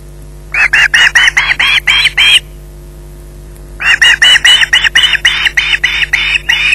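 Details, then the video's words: Harsh, rasping screeches from an osprey in possession of a fish at the Loch Garten nest, evening at 20:33. Two bursts of about seven and eleven fast, evenly spaced calls are separated by a silent gap. "Bynack screeching in possession"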